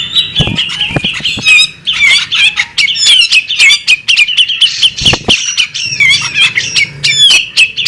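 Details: Female bearded magpie robin producing harsh, squawky chatter mixed with high whistled slides and quick chirps in clustered bursts, plus a few dull knocks.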